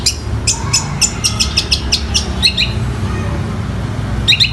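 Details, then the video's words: Long-tailed shrike delivering mimicked sparrow-fight and kingfisher calls: a series of sharp, high ticking chirps, then a few doubled squeaks, against a noticeable low rumble like passing traffic. "Cendet Gacor suara Gereja Tarung dan Tengkek Buto"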